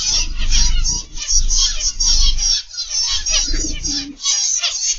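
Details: Aviary zebra finches, a crowd of captive birds heard in the morning, give rapid high nasal beeps and twittering that overlap continuously, over brief low rumbling and one short lower note near the end.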